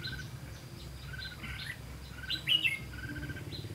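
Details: Red-whiskered bulbul used as a decoy bird while trapping on 18 September 2016: short bright chirps and quick whistled notes, some rising and slurred, scattered over a steady low rumble of background noise.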